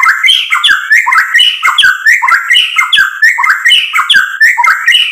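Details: White-rumped shama in full song, used as a lure to provoke other birds into singing: loud, rapid series of rich whistled phrases, each sliding down from high notes with sharp clicks, repeated nearly once a second.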